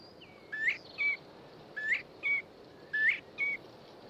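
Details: A Northern Bobwhite whistles across quiet countryside: a rising note, then a level one, repeated three times about every 1.2 seconds; the male calls for a mate, then listens for the hen's reply.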